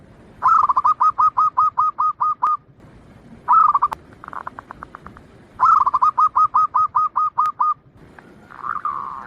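Zebra dove singing rapid bursts of soft, bubbling coos, each phrase a quick run of about ten notes, repeated with short pauses.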